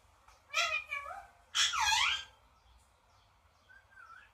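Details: Pet parrot uttering two wavering nasal notes, then a loud, raspy, broadband screech, then faint quiet whistles.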